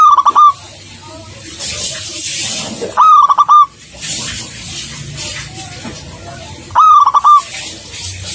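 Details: Three brief bursts of quick, overloaded cooing notes from a local zebra dove, spaced a few seconds apart over steady broadband hiss and low noise.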